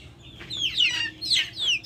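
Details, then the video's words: Backyard chickens calling: a few loud, shrill notes that sweep steeply downward, with a low hum beneath. "Backyard chickens making noise"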